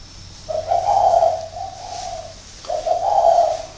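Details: Caged decoy spotted dove, kept six years in a cage, from Ba Vì in northern Vietnam, giving low mellow hooting coos in two phrases, the second starting after a short pause, with a quiet background.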